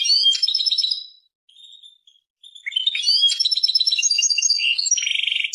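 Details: European goldfinch, Persian goldfinch song: twittering phrase, a quiet whistled note, then a long rising burst of bright chatter ending in a buzzy rattle.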